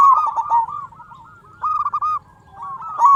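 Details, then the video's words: Local zebra dove with a loud, prolific voice, recorded as a lure to prompt other zebra doves to call; bursts of rapid, soft cooing notes, one longer burst in the middle and another at the end, with low background hum. "Perkutut Lokal Gacor Suara Besar Pancingan Burung Perkutut Agar Cepat Bunyi"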